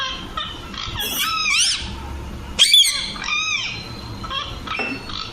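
Young Alexandrine parakeet giving harsh, rasping squawks with rising-then-falling harmonic sweeps, several in five seconds, over a faint low background hum.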